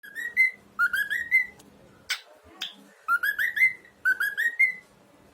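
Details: A young male pet cockatiel whistles clear, rising notes in short runs of three or four, repeating the phrase.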